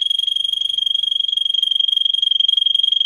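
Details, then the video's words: Russian singer canary, a bird bred for singing, recorded as a training song for teaching canaries: one sustained, steady high trill of very rapid, even pulses at a constant pitch, lasting the whole three seconds. "For training Canary singing (Russian singer canary singing) Original Song"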